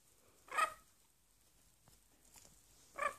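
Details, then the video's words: Pet parrot barking at a poodle indoors: two short, harsh, dog-like barks, one near the start and one at the end, with near silence in between. "Parrot kiko barks at poodle"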